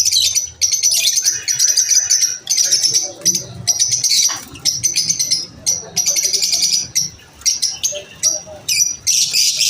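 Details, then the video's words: Lovebirds chatter at lunch time in repeated runs of piercing, high chirps and rapid trills, separated by short pauses, with a soft low murmur in the background. "Lovebirds chirping sound"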